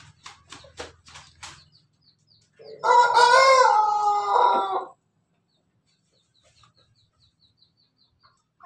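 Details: Pelung chicken, called a Pelung Bangkok, giving its laughing-style crow, recorded 17 May 2024. Several short broken pulses come first, then one loud harmonic crow of about two seconds. It is level, then wavers, then stops abruptly into silence.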